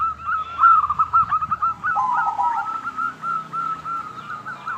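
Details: A local zebra dove sings a clear, crystal-toned song as a lure for other doves: an even run of short whistled coos, briefly joined by a lower descending phrase, over a soft background hum.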